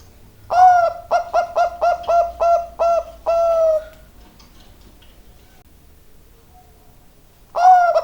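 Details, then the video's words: Zebra dove, Bangkok type, delivering a string of about seven evenly spaced cooing notes capped by a longer drawn coo, then silence before a new phrase begins; low background rumble. "burung perkutut bangkok suara gacor"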